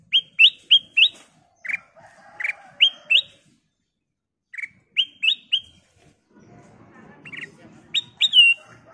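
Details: Ruby-throated bulbul (kutilang emas) singing, used to prompt other birds to sing. Series of rising whistled notes come in quick runs separated by pauses, and a low rumbling noise appears toward the end.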